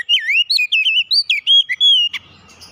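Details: Oriental magpie-robin giving a fast, loud phrase of about ten swooping, looping whistles, ending with a sharp snap and soft background noise.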